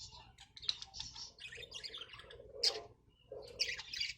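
A budgerigar chatters in a fast, scratchy warble of high chirps and squeaks.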